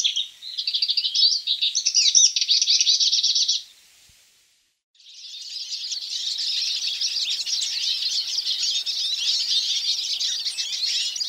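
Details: Hooded siskin song in two bursts: a loud, rapid twittering phrase of high chirps for about three and a half seconds, a brief silence, then a longer, softer run of dense high twitters and trills.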